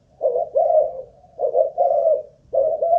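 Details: Caged Malaysian-type spotted dove, a ground decoy bird being tested for endurance; three purring coo phrases, each a quick note run into a longer hoarse one, about a second apart.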